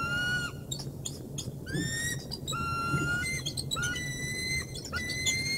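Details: Bald eagle bringing prey to the Decorah North nest, March 3, 2019: a series of thin, level whistled notes, each starting with a quick flick, interleaved with short choppy chatter, all above a constant low rumble.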